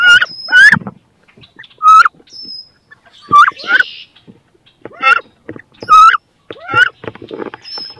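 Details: Rival female wood ducks battling in a nest box where both want to lay and incubate eggs; repeated sharp upslurred squealing cries about once a second, separated by quiet gaps, soft scratching and thumps.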